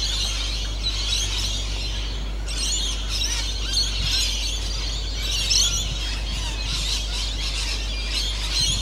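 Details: A flock of Eastern Rosellas swarming around a house keeps up a dense, overlapping stream of high, sharp chattering and squeaky notes over a steady low rumble.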